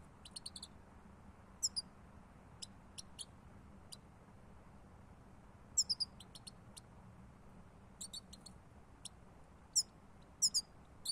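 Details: European goldfinch lure recording: scattered short, high tinkling notes and quick double chirps come at irregular intervals across eleven seconds, with quiet gaps between them.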